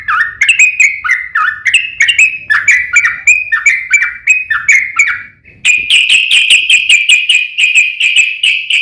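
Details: Yellow-vented bulbul in fighting song with long rapid phrases, used to provoke other bulbuls into answering: bubbly chattering notes sliding between low and higher pitch, repeated about twice a second, a short pause, then faster, brighter chatter.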